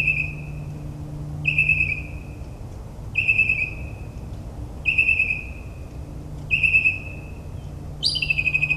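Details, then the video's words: Northern mockingbird singing at night in suburban New Jersey, mimicking other species: five similar phrases of rapid notes near one pitch, repeated about every 1.7 seconds, then a higher sweeping phrase, over a low steady hum. "Moonlit Melodies - Mockingbird's Nocturnal Performance in NJ"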